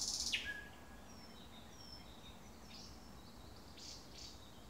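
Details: Thrush nightingale recorded at 3 am, opening with a loud, sharp burst that drops steeply in pitch, followed by fainter high whistles and short rattling phrases against a quiet night background.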